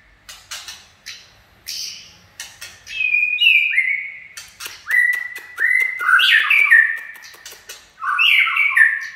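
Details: A white-rumped shama sings 'chạy cầu': fast series of clicks building into descending whistled notes, then loud warbled phrases repeated several times, strengthening toward the end.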